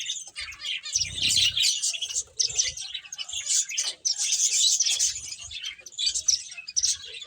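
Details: Playing finches produce a busy stream of sharp, high chirps, roughly four per second and irregularly spaced, over occasional low knocking sounds.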